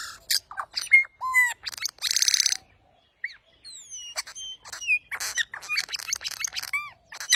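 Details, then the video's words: Bird calling loudly with harsh buzzy squawks, clear whistled notes that slide up and down, and rapid clicking bursts, delivered in irregular bouts with brief silences between. "bird 🕊️ voice"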